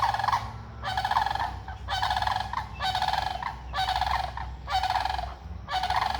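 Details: Sandhill cranes, seemingly unhappy about something, give loud, rolling, trumpeting rattles, about seven calls in quick succession, each under a second long, over a low background rumble, with ducks nearby at feed.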